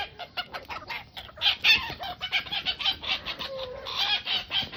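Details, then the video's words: Roosters and hens under a tree at a family home; busy overlapping clucks and chatter in quick succession, with a short drawn-out note near the end. "Sounds of rosters and hens"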